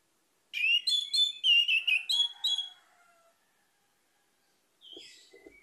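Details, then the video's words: Orange-headed thrush (anis merah) singing: a rapid run of loud, sharp whistled notes for about two seconds, fading into a soft low warble, then a short rising whistle and faint notes near the end. "PUTARKAN INI‼️ ANIS MERAH MACET AUTO GACOR"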